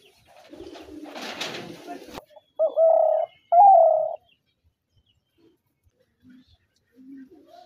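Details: Spotted dove calling: after a burst of rustling noise, two loud, flat coos near the same pitch, the second slightly higher and gliding down, followed by faint distant soft notes.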